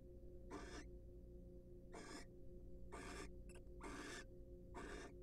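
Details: A pair of wild barn owls preening and courting at a monitored nest box: five drawn-out hoarse hisses spaced about a second apart, with a thin, short squeak between two of them, over a low hum.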